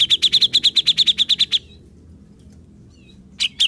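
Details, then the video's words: Cucak jenggot, or grey-cheeked bulbul, delivering a fast string of about thirteen bright, clipped whistled notes in a second and a half, then quiet before two more loud notes. "Cucak Jenggot Bisu Jadi Gacor"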